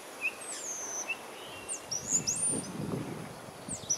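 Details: Common starling (Sturnus vulgaris) giving a rapid jumble of thin, high whistles, slurred up and down, with short sharp notes between, over a soft rustling background.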